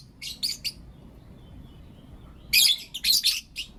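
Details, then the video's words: Morning chirping from blue opaline and lutino opaline lovebirds: three short, high, raspy notes, a quiet pause of nearly two seconds, then a dense run of loud, harsh chirps. "Lovebird Chirping Sounds and Call Sounds From Blue Opaline & Lutino Opaline"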